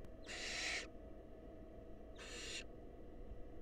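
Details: Wild barn owls at a nest box, a nestling eagerly eating a mouse the female took from the male. One strong hiss is followed after a pause by a shorter, softer one.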